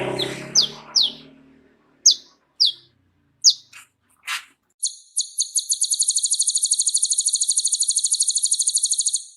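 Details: Van Hasselt's sunbird with a rich repertoire, kept to tutor other songbirds: several sharp downslurred chirps, then a long, very fast, even, buzzy high trill sustained for seconds.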